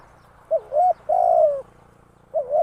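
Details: Decoy spotted dove used for trapping: a brief coo, then a drawn-out rolling coo that sinks at its end, with the next phrase starting again. A low steady hum runs underneath.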